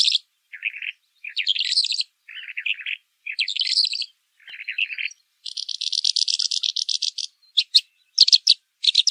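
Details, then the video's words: Pailing bird in pekling song, alternating lower scratchy bursts with higher chattering phrases, then a long, fast, even trill followed by sharp separate chips toward the end. "Burung Pailing pekling"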